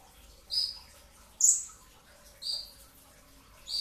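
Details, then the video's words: Brown-throated sunbird before dawn at sahur: four high, shrill notes about a second apart, the second sharper and higher than the rest, over faint background hum. "kicau konin dacok, kolibri ninja 2tak dada coklat full tembakan rapat di saat sahur"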